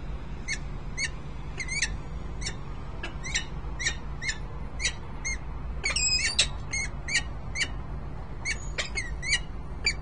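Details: Male (band 38S) and female peregrine falcons in Harrisburg, Pennsylvania, 10 December 2020. A long run of short, harsh chupping notes, some doubled. A louder, denser cluster comes midway, and a constant low mechanical hum sits in the background.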